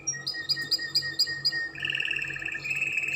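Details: Canary (Belgian canary) singing Spanish Timbrado-style song, used to teach young canaries: a run of six quick, bright notes, then a rolling, metallic trill that holds steady to the end.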